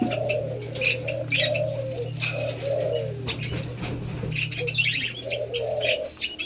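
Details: A white-eared brown dove being tamed gives a series of low, soft hooting coos, with busy chirping from other small birds and a steady low hum.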